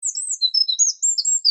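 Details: Eurasian wren singing: a fast, very high stream of thin whistled notes and short trills, shifting pitch in quick bursts, on a clean quiet background.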